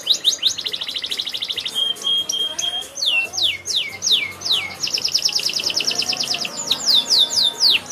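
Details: Canary singing a lively, varied song: fast rattling trills of high chips, a sustained whistled tone, then a series of sweeping downslurred whistles followed by another rapid trill and more slurred notes.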